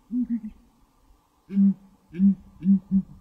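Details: Southern ground hornbill call, a pre-dawn chorus: a quick double boom, then after a pause three deep, hollow grunting booms, each low and resonant, with faint background hum.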